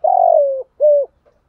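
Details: Spotted dove cooing in the 'kích bổi' style used for training birds: a long, buzzy, slowly descending coo followed by a shorter, steady, rounded coo, low-pitched and clean with nothing else audible.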